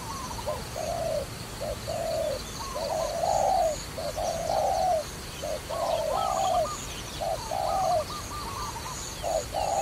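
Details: Repeated dove cooing in a trapping context: many short and long low coos in a loose rhythm over ten seconds, with thin higher twittering notes from another bird scattered through and faint hiss.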